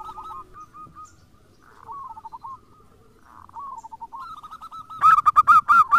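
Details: Several zebra doves, local and crossbred, in a lure recording to prompt other doves: soft scattered cooing phrases, then one close bird delivers a loud, fast string of rolling coos at the end.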